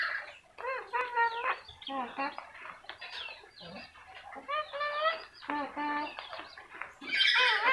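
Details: Yellow-crested cockatoo talking: a run of harmonic, voice-like syllables in short bursts with brief pauses between them, ending in a louder harsh, noisy screech.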